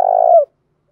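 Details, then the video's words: Spotted dove decoy bird cooing to draw out and provoke rival males: a single drawn-out, low, hollow coo about half a second long that bends downward at its close, followed by silence. "tiếng chim cu mồi thúc đấu vấy gáy gọi"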